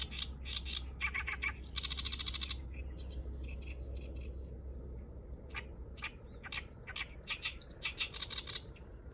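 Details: At Kurohama marsh in Hasuda, an unseen Oriental reed warbler gives an unusual song: coarse chattering notes, a dense buzzy grating burst, then a long series of rapid harsh notes rising in loudness, with low steady hum.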